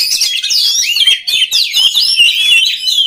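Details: Unbroken stream of oriental magpie-robin song, loud twisting whistles and harsh chattering notes blended closely together, meant for training other magpie-robins.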